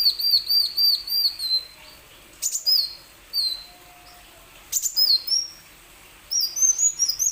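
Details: Song of a plain sunbird, meant to prompt other sunbirds that are slow to sing. Rapid, looping high notes come in bursts of four to six, with clicks and short quiet gaps between phrases.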